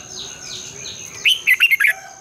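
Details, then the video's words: Red-whiskered bulbul morning song, a long twisting double-voice style used to spur caged birds to sing: one quick phrase of five or six loud, clear, warbled notes after fainter descending whistles from other birds and a steady high hiss. "Luyện chào mào hót sáng, Giọng kép xoắn dài"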